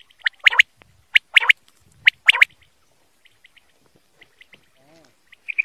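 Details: Desi quail giving three sharp, liquid multi-note bursts roughly once a second, then quiet with faint scattered ticks and a soft distant whistle near the end.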